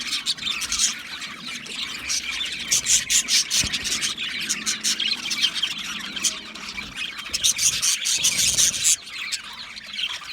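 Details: Budgerigars in an aviary, a flock chattering together: a continuous dense wash of high, scratchy chirps and squeaks, many birds calling at once with no pauses.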